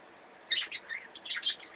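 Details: A playful male white budgerigar, playing with a ring, gives quick, scratchy chirps and warbles in a short, irregular burst.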